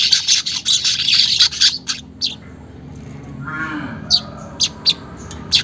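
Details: Weaver song used as a lure to get caged birds to sing fast: an intense buzzy, sputtering chatter of quick harsh bursts for two seconds, a brief low grating rumble, then isolated sharp ticks spaced about half a second apart.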